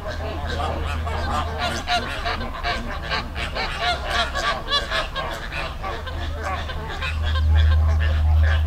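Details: Many flamingos calling together in a river in the Dominican Republic, rapid honking notes several per second, rising and falling in waves, with deep rumble strengthening toward the end.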